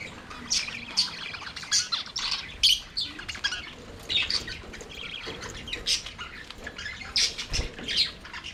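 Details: Budgies singing and playing together in their aviary: many high, scratchy chirps and warbling twitters pour out in rapid bursts, several birds overlapping, with one low thump near the end.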